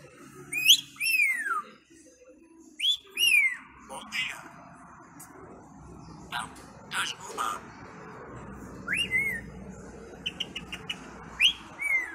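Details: A talking parrot in Portugal gives loud rising-then-falling whistles, repeated every few seconds, between bursts of chatter that may be mimicked speech.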